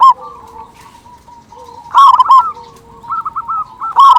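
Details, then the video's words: Zebra dove of a local strain, a strong singer used to excite silent zebra doves: a loud coo opens, a soft pause follows, then a powerful rolled phrase, a run of bouncy trills, and a closing loud coo. "Perkutut Lokal Gacor Suara Besar Pancingan Burung Perkutut Agar Cepat Bunyi"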